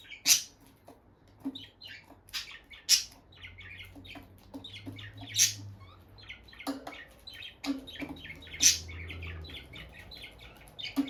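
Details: Bonded pair of pet peach-faced lovebirds near their nest box, staying close and touching beaks; busy run of shrill, scratchy chirps and squeaks with loud sharp clicks every second or two, steady low hum behind.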